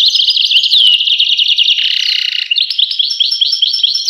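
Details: Goldfinch twittering fast and high, with a brief harsh, buzzy nasal note in the middle, then quick, regularly repeated chirps.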